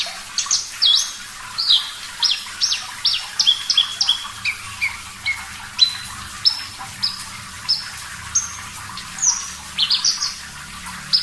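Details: Javan bush lark singing lively and clear over water sounds: a fast string of sharp high whistled notes, downslurs and short chips, spaced a little more loosely in places.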